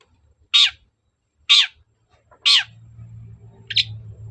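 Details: Long-tailed shrike (cendet) harsh calls used to provoke a response: three loud rasping notes about one second apart, then a shorter fourth, with a low hum underneath.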